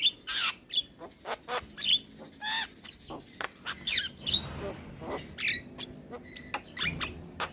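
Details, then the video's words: Starling song for coaching young birds: a dense, lively run of sharp clicks, squeaks and brief whistles, repeated in quick bursts. "Masteran Burung Jalak Muda / Jalak Malas Bunyi Rutin Putarkan Agar Jalak Jadi Gacor"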